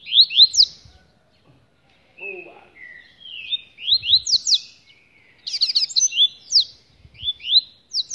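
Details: Rusty-collared seedeater singing from a cage held in the hand: repeated clusters of rising whistled notes, some buzzy trilled passages and lower flat whistles, continuous and lively.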